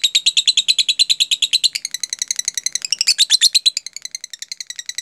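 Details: Lovebird in 'jeda rapat' style, meant to prompt lovebirds to copy it: fast high chirping, first dense and regular, then shifting to varied, slightly rougher notes before tapering off.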